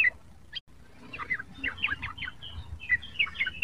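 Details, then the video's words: Young sooty-headed bulbul learning to sing: soft, rambling twitter of short chirps and brief slurred notes, with a quick break early on, over a low background murmur. "burung trucuk muda belajar bunyi"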